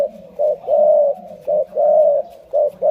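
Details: Spotted dove of the Malay line cooing steadily: a short hollow note followed by a longer drawn-out coo, the pair repeated three times in quick succession with brief gaps.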